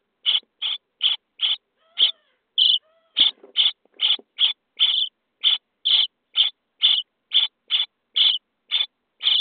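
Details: Nest-box Common starling young on day 23, being fed, give around twenty evenly spaced, short grating screeches, about two per second.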